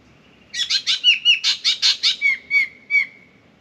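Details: Australian spangled drongo calling at an intruding pied currawong from a mango tree: a run of harsh, rasping notes with a thin whistled tone underneath, ending in a few sliding, squeaky notes.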